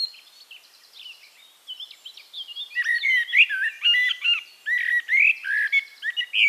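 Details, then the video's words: Eurasian blackbird song from Castricum, Netherlands: soft, distant-sounding twittering at first, then from about three seconds a loud, rich sequence of fluted whistles and rapid chirps. "One Hour Relaxing Birdsong: Blackbird"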